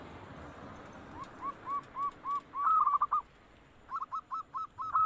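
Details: Zebra dove, a local perkutut, calling: a faint run of short, evenly spaced cooing notes that swells into a loud rolling trill. A pause follows, then another stuttering burst of rapid coos over a steady background hiss.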